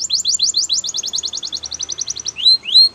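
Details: Canary training song, Spanish Timbrado style: a rapid run of repeated chirping notes that slows slightly, ending in two clear rising whistles.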